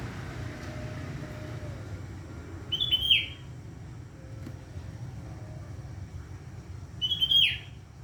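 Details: Sooty-headed bulbul singing to welcome the morning: two short bright whistled phrases about four seconds apart, each a quick rising-then-falling flourish, over steady low traffic rumble.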